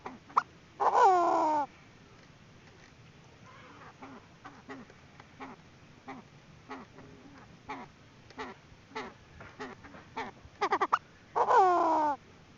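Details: Female Chinese francolin call used as a trapping lure: a sparse series of short, wavering harmonic notes spaced irregularly, broken by a few loud, harsh, drawn-out bursts near the start and end.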